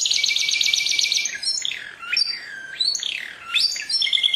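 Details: Canary opening with a rapid rattling trill, then swooping whistled slides rising and falling, ending on short high notes.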